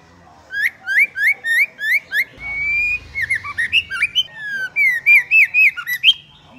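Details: White-rumped shama (Copsychus malabaricus), female call: female voice used to stimulate males into singing.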